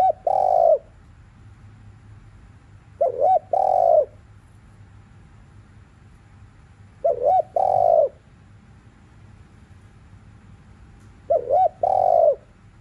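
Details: Afternoon cooing of a spotted dove, meant to provoke other doves: low, mellow phrases every three to four seconds, each two quick wavering notes followed by one drawn-out steady coo, over faint background hiss.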